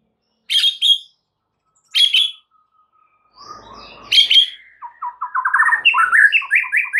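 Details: White-rumped shama in a master recording meant to rouse other shamas to sing: harsh chattering bursts, then a fast run of clear whistled notes rising and falling in rapid repeated phrases.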